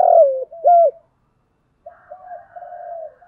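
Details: Spotted dove used as a luring decoy ends a cooing phrase with a falling long coo and an arched note, then after a pause gives softer, drawn-out murmuring coos.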